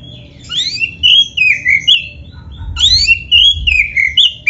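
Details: Oriental magpie-robin of the black-breasted form, song to stimulate caged birds: fluid, warbling whistles that rise and fall in two long flowing phrases, bright and melodious, with high overtones.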